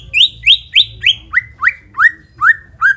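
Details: White-rumped shama song meant to prompt other shamas to sing: about ten loud whistled notes, each rising then falling, repeated roughly three times a second and gradually dropping in pitch.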